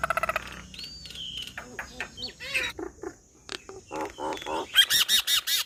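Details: Nias hill myna singing a varied medley: a long clear whistle, then harsh buzzy chattering notes and a run of rapid repeated squawky syllables, with short bursts of accompanying music at the start.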